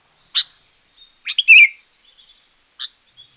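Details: Sooty-headed bulbul tutor song for luring wild birds or prompting quiet ones: a sharp chip, a short bubbly descending phrase, then another chip, with faint soft notes between.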